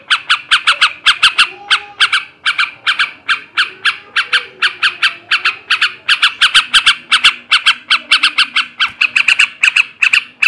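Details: Long burst of male yellow-vented bulbul ngebrem, ngekek garuda song to raise breeding drive: continuous harsh chatter of clipped notes in small groups, quickening toward the end, with faint low background tones.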